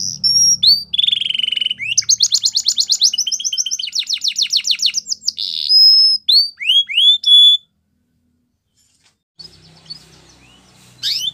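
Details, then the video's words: Belgian canary singing for training, a faint low hum underneath: fast trills, a held buzzy note and a run of rising whistles fill the first seven seconds, then near silence with a soft murmur before a final burst. "The Best Canary Training | Belgian Canary Singing"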